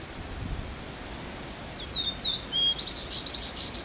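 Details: Male Blue-and-white Flycatcher singing alone on Migitagatake: clear high whistles slurring downward, a long flat note, then a quick rattling series of short high notes at the end.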